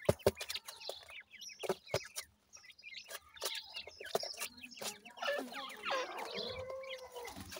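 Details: Grey francolin chicks calling: sharp knocks and clicks early, then a burst of overlapping high squeaky chirps and short trills near the end.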